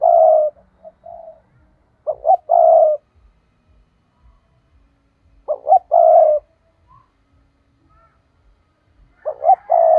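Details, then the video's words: Decoy spotted dove's 'thúc' call for drawing wild birds into traps: a low cooing phrase repeated about every three to four seconds, with two short stuttering notes leading into a drawn-out mellow coo. "Chim cu gáy thúc"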